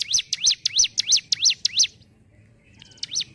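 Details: Hill prinia (ciblek gunung) in ngentrok song, six or seven fast, high snapping notes, then near silence before one last note at the close.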